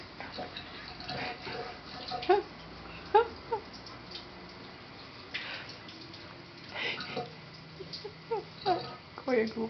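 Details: A pet red-crowned parakeet (Cyanoramphus novaezelandiae, kakariki) bathing in a kitchen sink gives short, squeaky chirps in scattered bursts over splashing water, with a person's voice in the background.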